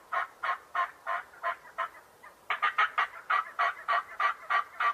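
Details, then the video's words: Turkey gobbling in quick rattling pulses, several spaced notes then a brief lull before a louder run of about nine evenly repeated throaty bursts. "Turkey sound for kids"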